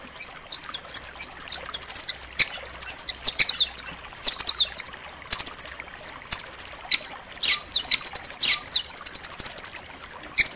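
A nuthatch gives rapid, very high, sharp trills of dense repeated notes in bursts of one to two seconds, with a few short chirps between them.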